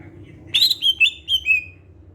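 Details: Brief whistled phrase from a greater green leafbird, used as a lure: a loud opening note followed by four slurred notes that fall steadily in pitch.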